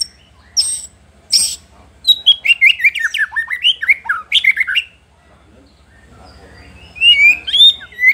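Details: White-rumped shama song aimed at provoking rivals: two sharp high notes, then a fast tumbling series of falling whistles and trills, a quiet spell, and more whistled phrases at the end.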